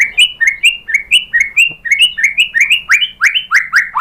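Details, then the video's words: White-rumped shama song used as a provoking lure to make a caged shama answer: a fast series of rising whistled phrases around the same pitch, repeated roughly every third of a second, with bright overtones. "pancingan MURAI batu bikin EMOSI NYAUT GACOR BONGKAR MATERI ¦ SHAMA BIRD"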